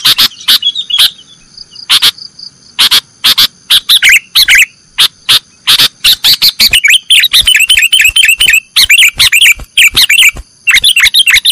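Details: Cage-bird training recording of a sooty-headed bulbul in nggaruda style. Sparse clicks give way to a continuous stream of rapid, bubbling chirped phrases, with a steady high-pitched tone throughout.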